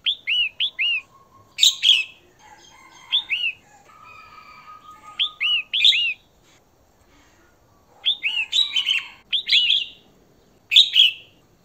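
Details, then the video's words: Female red-whiskered bulbul sounding to rouse a male, repeating bursts of quick down-curving whistled notes and harsh chattering notes, with faint thin tonal sounds filling the gaps. "Chào Mào Mái Hót Kích Trống"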